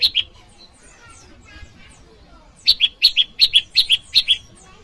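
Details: Bar-winged prinia calling, used to lure wild birds and as training audio for cage birds: after a quiet start, a run of sharp paired chip notes at high pitch, about nine in two seconds, evenly spaced.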